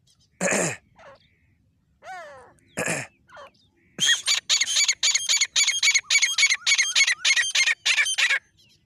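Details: Female grey francolin of the Dakhni type: a few loose harsh broadband notes and a descending nasal note, then a fast, loud run of rasping, evenly spaced notes at about three or four per second.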